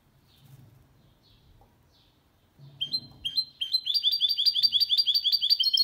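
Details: Goldfinch × canary hybrid singing a clean song meant to stimulate males and tutor young birds; after quiet low thumps, clear high notes build into a fast, steady series of repeated twittering phrases.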